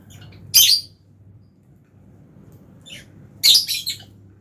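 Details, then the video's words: Fischer's lovebird in an aviary colony with albino lovebirds during feeding. A harsh high squawk, a fainter short chirp, then a loud stuttering burst of scratchy chirps, over a steady low hum. "Lovebirds Chirping Sounds"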